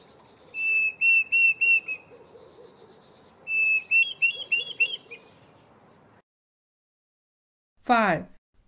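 Diederik cuckoo giving two bursts of clear, high whistled notes, about five quick notes per burst. The second burst climbs in pitch. A brief sharp sweep follows after a pause.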